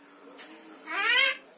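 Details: Clever Javan myna that mimics the words bapak, mamak and opo pak and whistles: a faint low tone, then one nasal, voice-like syllable that rises and falls, indoors.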